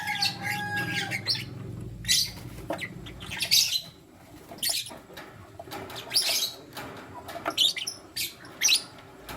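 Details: Lutino lovebirds, one male with two females as he chooses between them, in the morning: shrill, sharp chirps in irregular bursts every second or two, with a faint steady low hum underneath.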